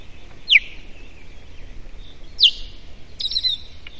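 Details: Warning calls from an Osprey at the nest on a June morning: two clear, piercing down-slurred whistles about two seconds apart, then a rougher burst of higher notes, with quiet outdoor background noise.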